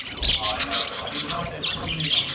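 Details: Several budgies in a master cage chatter with high squeaks and scratchy, warbling phrases, some lower tonal notes mixed into the continuous twittering.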